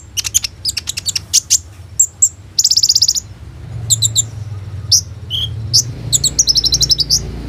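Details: Captive Van Hasselt's sunbird (kolibri ninja) in full song loaded with imitated 'roll tembak' phrases, used as a lure to get other sunbirds singing, recorded on a phone: rapid high chirps, a rattling trill and sharp tweets in bursts.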